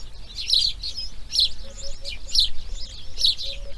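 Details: Grey heron nestlings on breeding day 2: loud harsh chattering bursts arrive about once a second, each followed by softer echoes, with a thin whistled note from another bird in the background.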